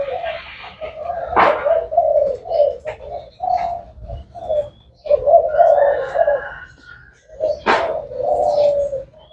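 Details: Deep, rolling cooing of a 'thái hậu' spotted dove continuing almost without a break, interrupted by two loud sharp knocks and some faint higher chirps.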